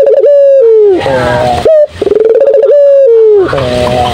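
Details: Turtle dove in full, loud song: long steady cooing notes that waver, then slide downward, each followed by a rougher, buzzier tail, with two such phrases in quick succession.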